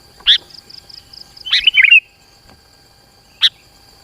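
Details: Sooty-headed bulbul used as a lure for rivals, heard as a lone sharp chirp, then one quick bubbling phrase, a long gap and another clipped note, with a faint rapid ticking between.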